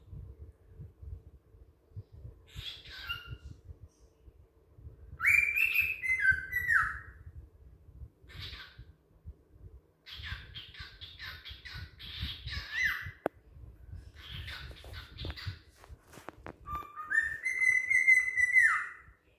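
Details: A pet cockatiel (Nymphicus hollandicus) calling at a window gives loud whistled calls with short chattering bursts between them.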